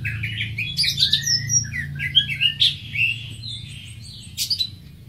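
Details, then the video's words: Greater green leafbird singing a varied, jumbled phrase of bright whistles, chirps and short trills that jump between notes, with a sharp high burst near the end, over a steady low hum. "Greater Green Leafbird (Bird Singing 74)"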